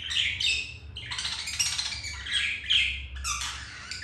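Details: Budgerigars mating indoors, the male having first been rejected by a white-grey female; continuous bright warbling chatter with squeaky chirps and harsh rasps in overlapping bursts, with a faint low room hum beneath.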